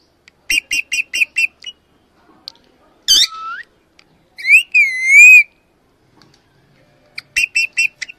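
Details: A female Alexandrine parakeet gives quick bursts of harsh, ringing notes, five or six in a row, plus a rising squawk and a long wavering whistled screech.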